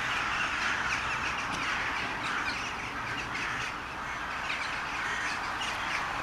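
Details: Many crows call together at a gathering in Sevastopol described as a crow wedding, recorded on a Toshiba Camileo P30: a busy, raucous mass of harsh caws, rapid and irregular, filling the whole scene.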